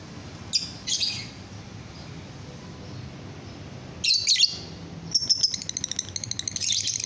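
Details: Lovebird song used to set other lovebirds singing: a few short bursts of high chirps, then a rapid stuttering chatter building over the last two seconds.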